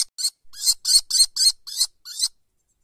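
Common kestrel chicks give about seven harsh, rasping bursts in quick succession, each a quarter-second hiss-like screech, over two seconds.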